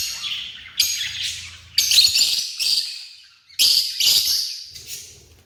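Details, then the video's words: African lovebirds giving shrill, high-pitched chirping chatter in four dense bursts, each starting sharply and fading over about a second, with brief quiet gaps between. "The Vibrant Sounds of African Love Birds"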